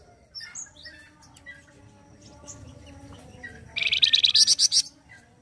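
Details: Flamboyan bird in loud, rough full song of the kind used for tutoring other birds: scattered soft high chirps, then a rapid string of about ten harsh, high-pitched buzzy notes lasting just over a second.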